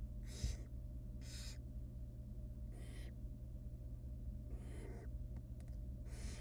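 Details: Barn owl chicks in a wild nest box begging while their mother tears up a rabbit for them; five rasping, snore-like hisses at irregular gaps of one to two seconds, with a constant low electrical hum behind.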